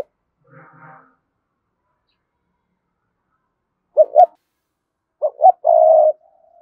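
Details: Spotted dove of the Cườm Sa type, a decoy bird cooing to lure wild doves. After a faint murmur and a long silence, it gives two short hollow notes, then a pause and a phrase of two clipped notes ending in a long steady coo.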